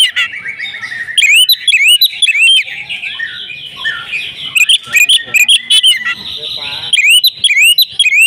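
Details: Female oriental magpie-robin kept at home, singing insistently with fill-in phrases: a long gliding whistle, bursts of sweeping upslurred notes, a softer jumbled stretch, then renewed rapid rising whistles.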